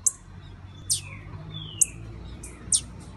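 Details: Breeding-ready female blue-black grassquit: scattered sharp, high-pitched chips, about five, spaced roughly a second apart, with thin falling whistles trailing between them.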